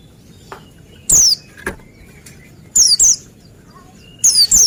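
Oriental white-eye giving short bursts of very high, thin, down-slurred twittering notes, often in quick pairs, separated by pauses over a quiet background.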